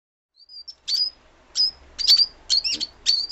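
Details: Lovebird parrot calls: thin, high chirps, first a few faint short notes, then sharper bursts roughly twice a second, some with brief slurred whistled tails, in otherwise quiet surroundings.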